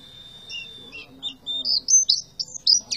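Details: Oriental white-eye in tembakan song, opening with a long thin steady whistle, then a string of sharp high chirps rising in pitch and getting louder toward the end.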